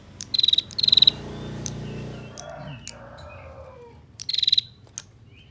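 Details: Female bar-winged prinia with a tight ngebren ngetir trill, used as master song for training songbirds; a quick double burst of high ticks, a pause with soft sounds, then another dense rattle.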